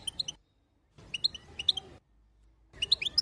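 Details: Female European goldfinch chatter intended to make the male sing: three short bursts of a few bright twittered notes separated by silent gaps.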